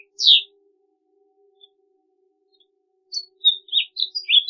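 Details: A house finch gives a single sharp downslurred chirp, falls silent for nearly three seconds, then adds several quick twittering notes at the end; faint background hum.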